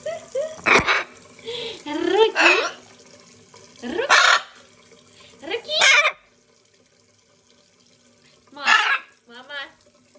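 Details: A macaw speaks in harsh, squawky bursts, repeating word-like sounds "mama" and "pap" several times with brief pauses between phrases.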